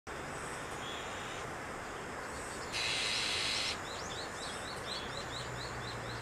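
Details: Azure-winged magpies raising chicks at Maeji-ri, Wonju, Korea: a single harsh, hissing rasp lasting about a second breaks out mid-clip, with thin rising chirps from other birds before and after over steady rural background noise.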